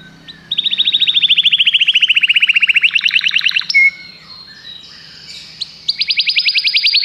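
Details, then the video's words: Common canary singing a long, rapid trill of repeated notes slowly falling in pitch, a short clear whistle, a pause, then another fast high trill. "Canários cantam"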